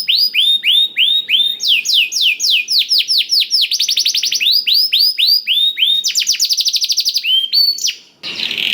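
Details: Blackthroat-filled canary song played to encourage canaries to sing: rolling sequences of sharp descending whistles mixed with very fast buzzy trills, steady and loud, ending in a short burst of noise.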